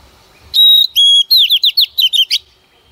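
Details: Oriental magpie-robin female singing to stimulate males: two long pure whistles followed by a quick run of six or seven slurred, down-swooping notes, ending abruptly in silence.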